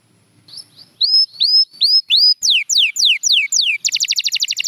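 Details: Canary song, from a champion bird, opens with faint low murmurs. Clear arched whistles follow, then long falling slurs, ending in a rapid buzzy pulsed trill.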